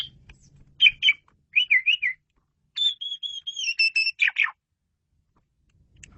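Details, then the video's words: Asian pied starling song made of loud whistled phrases, slurred and warbling notes, then a longer whistled run with a harsh burst near the end, separated by short silences. "KICAU SUPER GACOR!!! JAGO BANGET MASTERAN JALAK SUREN INI"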